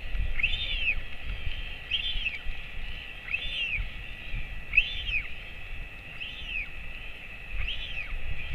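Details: Royal albatross father feeding its chick at 11:35 am, 28 August 2024, in the colony. Six arched squealing notes spaced about 1.4 seconds apart, over low rumbling and steady hiss.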